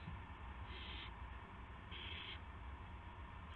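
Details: At 8:00 PM on March 18 2016 an owl, as a gopher is brought in, utters two drawn-out, airy hissing screeches about half a second each, a second apart, over a low steady hum.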